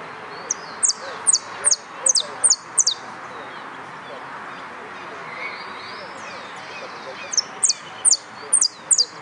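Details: Contest singing from a yellow canary at the Nuevo Irupe competition, 22 09 13. A run of high, clipped descending chirps, a pause of several seconds, then the chirps resume, over faint background murmur.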